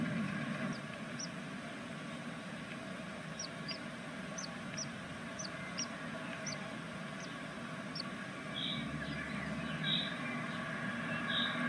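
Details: Great tit nestlings on their first day in a nest box in Veszprém, Hungary, in 2025, give faint, very high, thin peeps in quick irregular bursts, a few per second, over a steady low hum and hiss.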